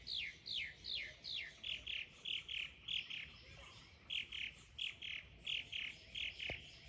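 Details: Mimicking mockingbird delivering a steady run of bright, downslurred chirps, about one and a half per second. The phrase type shifts partway through into rounder repeated notes. A brief click is heard near the end.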